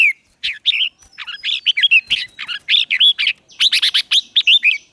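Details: Lure red-whiskered bulbul calling wild rivals to a singing contest, pouring out loud, liquid whistled phrases of quick rising and falling notes, grouped in tight bursts, with a thin faint whistle running underneath at times.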